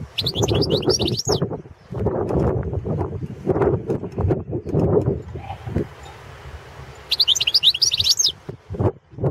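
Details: Competition recording of a Balkan goldfinch, Carduelis carduelis balcanica, for the 2017 World Championship in Goldfinch Song. A rapid, jingling twitter opens the clip and a second burst comes near the end, with heavy low noise between them.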